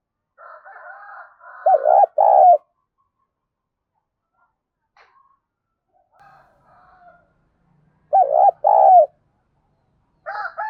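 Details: Spotted dove decoy calling in lively 'thổ pha thúc' style to rouse birds and train decoys: a quiet breathy lead-in followed by a pair of low hollow coos, repeated twice with quiet gaps and faint background sounds.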